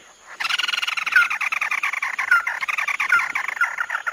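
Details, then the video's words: Chim mắt đỏ delivering a prolonged tí nỉ song. It is a continuous, dense, fast rattling trill with scratchy overtones and occasional brighter whistled slurs poking through. A faint constant high-pitched hum sits in the background. "Tiếng chim mắt đỏ tí nỉ chuẩn nhất"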